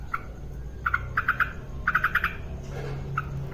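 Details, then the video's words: Female yellow-vented bulbul singing actively: quick runs of three to five sharp notes at an even pitch, separated by short pauses, with a soft low hum behind. "Masteran burung trucukan gacor aktif"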